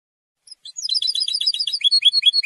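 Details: European goldfinch song, used to claim territory and draw females: after a few soft opening notes, a dense, fast stream of high, liquid twittered notes builds and grows louder toward the end.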